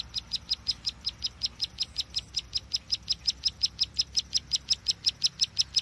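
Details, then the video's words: Bar-winged prinia call used as a lure for trapping birds: a rapid, very regular series of sharp high chips, about three per second, steady throughout with faint low hum beneath. "Suara pikat burung ciwa/cici glaga/ciblek sawa"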